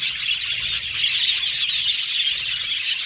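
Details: Australian budgies in a colony aviary giving quick, rapid chirps, around four a second, over a constant background of overlapping flock chatter.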